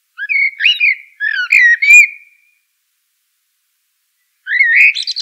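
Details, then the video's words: A Eurasian blackbird sings two rich fluted phrases in quick succession, then falls silent for two seconds before beginning another warbling phrase. "Eurasian Blackbird Call Song Sound"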